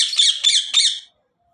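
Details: Pet cockatiel giving three harsh, grating screeches in quick succession, then silence.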